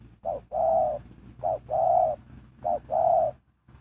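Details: Decoy spotted dove luring wild birds, calling three rounded two-note coos, short then long, about 1.2 seconds apart, over a faint low background rumble.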